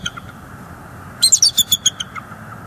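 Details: Bald eagle near a northeast Florida nest in December 2022, during a chase in which an adult female drives off juveniles: one quick run of about eight high, thin, piping notes after a quiet stretch.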